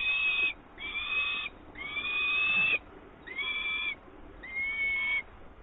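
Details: Five drawn-out, whining calls with a slight upward slur, separated by short pauses, from an adult peregrine falcon delivering live prey at its Włocławek nest on 24 May 2022.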